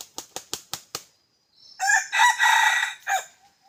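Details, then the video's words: Red junglefowl kept as a decoy bird for hunting: five sharp, evenly spaced bursts like wing flaps, a short pause, then one loud, harsh, broken crow with a rising start, a sustained middle and a clipped final note. "ต่อไก่ป่า dib qaib qus"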